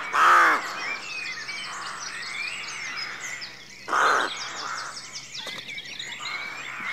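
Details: Two loud, rasping rook caws about four seconds apart stand out over a softer background of distant cawing and high bird chirps at a rookery at dawn.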